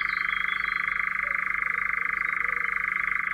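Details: European Nightjar of Central Russia producing a continuous, evenly pulsed purring trill at constant pitch throughout, with a faint bird call at the start.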